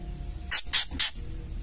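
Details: Three short, harsh, hissing rasps in quick succession from a female white-rumped shama calling ketrekan to goad males into singing.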